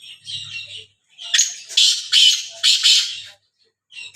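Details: Black francolin, known locally as kala teeter, in Sindh; a faint harsh note opens, then four loud, grating, strident bursts follow about half a second apart, and a low steady hum sits underneath.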